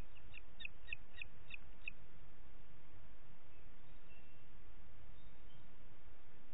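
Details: Booted eagle in Parc Natural dels Ports, 27 June 2021, morning: six quick, high, clipped notes in the first two seconds, then only a low background rumble.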